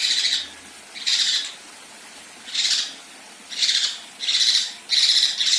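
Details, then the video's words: A female kinoi gives coarse, harsh, hissing rasps, each about half a second long, in irregular bursts that come faster toward the end. "Besetan Dan Tembakan Kasar Kinoi Betina"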